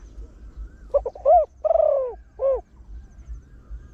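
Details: Trained Spotted Dove with a large voice, crowing fast in the 'khan yon one kuk' manner to attract wild birds: a tight burst of short notes, a long throaty coo and a rounded closing hoot, then quiet.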